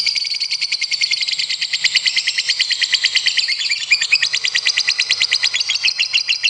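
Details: Lovebird delivering a long sustained competition trill: fast, steady, harsh rattling pulses about three per second, continuous through the whole stretch.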